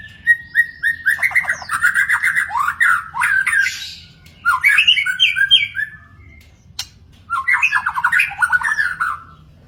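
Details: Wild magpie-robin delivering loud, rapid chattering trills and slurred whistles in three bursts separated by brief pauses, with a sharp click in between.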